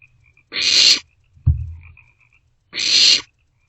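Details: Barn owl chicks in a nest box at night, sharing a vole; two harsh hissing screeches with a short low thump between them and faint thin high chittering in the background.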